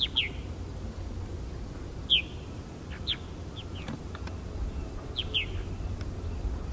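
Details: Purple martins on the Fraser River at Iona, 10 August, give scattered liquid, gurgling chirps, some in quick pairs, over a steady low rumble of background noise.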